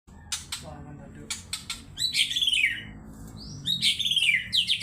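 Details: Agitated white-rumped shama, known locally as murai batu, singing in an excited state, used as a lure to provoke other birds: sharp high clicks followed by loud descending whistled phrases, repeated in bursts, over faint low background hum.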